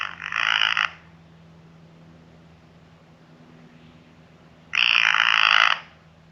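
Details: In a central Florida backyard, a Blue jay (Cyanocitta cristata) gives its growl call while driving off a squirrel at a peanut feeding spot: two harsh, rasping growls about four seconds apart, each nearly a second long, over a faint low hum.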